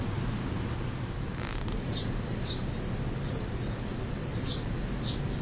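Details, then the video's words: Mature male Anna's hummingbird that claimed a feeder deck as territory for six weeks, singing a string of high, grating squeaks and buzzes after a short quiet start, over steady low-pitched noise. "Hummingbird sings and announces"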